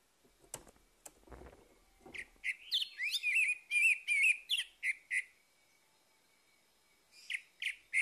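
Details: Orange-headed thrush singing in the morning, played as a lure to get a silent bird singing again: a run of loud, clear whistled notes, some rising and slurred, repeated rapidly, then brief pauses and more short whistles; faint thumps at the start.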